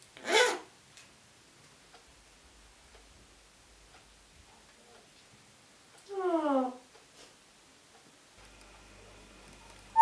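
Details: Pet African grey parrot making a short harsh call of stacked, quickly falling tones after a sharp click, then a long quiet with a faint steady hum.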